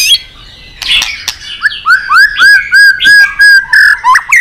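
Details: White-rumped shama singing excitedly with tail flicking, many-voiced song: after scratchy notes, a series of about nine loud, clear, upslurred whistles repeated roughly three per second, ending in varied slurred notes.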